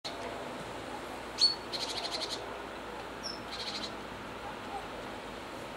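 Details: A great tit (Parus major) gives one thin high whistle, then two quick bursts of buzzy, rattling high notes, calling to another great tit just out of view while checking the coast is clear before flying down to a bird table.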